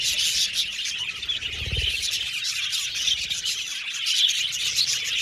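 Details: Loud continuous chirping from budgies, dense high squeaky tweets and chatter, a few brighter whistles poking through, and a short low bump early on.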